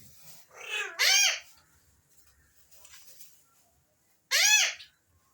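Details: Alexandrine parakeet giving two loud harsh arched calls, the first near one second and another near four and a half seconds, with faint softer chatter between them.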